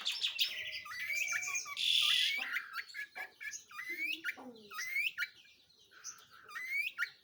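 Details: Long-tailed shrike singing actively, a varied jumble of sweeping whistles, harsh rasping bursts and scratchy chatter, with falling slurred notes and quick upward flicks between them.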